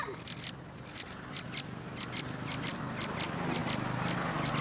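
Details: A Yellow-vented bulbul, putting worms in its mouth, gives short, harsh, hissy notes, often in quick pairs, about two a second, over a steady low rumble.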